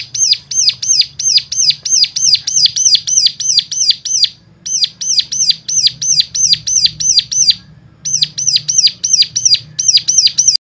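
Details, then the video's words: Bird sound for prompting other birds to sing: long, fast strings of sharp, high, hooked chirps, around three per second, broken by two short pauses, with a faint low hum behind. "full suara rangsangan jadikan cigun lain mana tahan auto gacor seketika"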